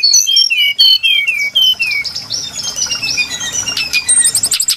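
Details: Brown-chested jungle flycatcher, recorded as a lure for bird trapping: a run of clear descending whistles, then a busier stretch of thin high notes and quick chirps piled densely together.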